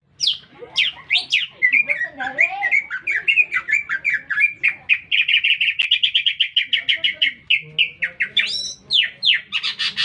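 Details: Green leafbird singing prolifically amid a city centre: a fast, continuous run of bright chirped and slurred notes, ending in rapid even trills and buzzy upswept phrases, with a soft low hum underneath.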